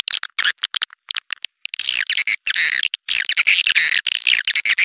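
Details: Swiftlet calls played to lure swiftlets: a few short clicking chirps, a pause, then looping, twittering high calls in quick overlapping bursts.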